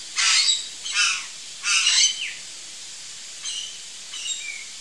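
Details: Harsh, grating calls of a curl-crested jay near backyard fruit: three loud raspy caws in the first two seconds, followed by softer, thinner notes and a brief whistled slur.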